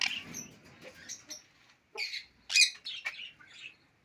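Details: Alexandrine parakeet, a talking pet bird speaking Urdu and English, producing short clipped harsh syllables in quick bursts, the loudest a strident squawk just past the midpoint.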